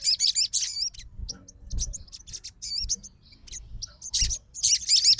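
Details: Sogon responding to another sogon's song with short bursts of high, curling, wavering whistles and chirps separated by gaps, with low thumping background noise.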